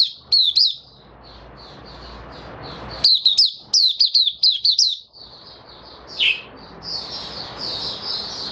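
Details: Captive White-eye in song: short clusters of sharp, high twittering notes separated by quieter stretches of thin continuous warbling, one downward-sweeping note near the end, then a steady high chatter.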